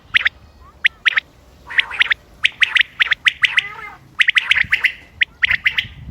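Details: Common quail recorded 28 May 2025 as a hunting call. Bright, clipped notes fall in irregular runs of two or three, with brief pauses. One harsher, buzzier burst sits near the middle.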